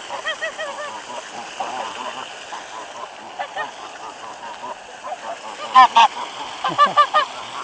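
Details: Bread-fed geese at a waterfall on a cold late-February day in 2013; moderate honking early, quieter middle, then a few sharp loud honks near the end, with a steady background rush.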